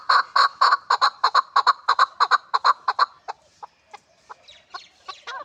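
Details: Hybrid chukar partridge uttering rapid, loud, evenly spaced chuck notes for three seconds, then trailing off into scattered quieter clucks and squeaky notes.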